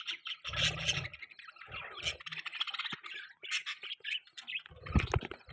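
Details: Budgie chatter: a steady stream of rapid, squeaky, warbled notes and chirps, with occasional soft low bumps in the background.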